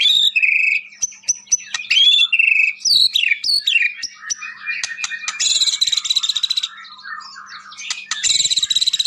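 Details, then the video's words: White-rumped shama, a vigorous singer kept as a master bird for training other shamas: varied song of clear whistles, quick rising and falling slurs, then bursts of harsh, rapidly pulsed buzzy rattles, dense and continuous. "SUARA OCEHAN BURUNG MURAI BATU GACOR UNTUK MASTERAN MURAI"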